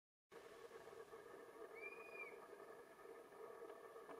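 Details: Near Portal, Arizona, on 1 June 2024, a dusky-capped flycatcher (Myiarchus tuberculifer) gives one plaintive whistled note that rises slightly and then slurs down, over a steady engine-like hum.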